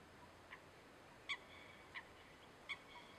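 Little grebe giving four short, sharp, high-pitched notes, spaced under a second apart, over a faint steady background hiss.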